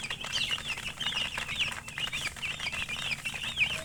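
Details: Chicken chicks peeping continuously in a group, many overlapping high thin chirps with rising and falling wavering notes, dense and steady throughout, with soft scratchy rustling beneath.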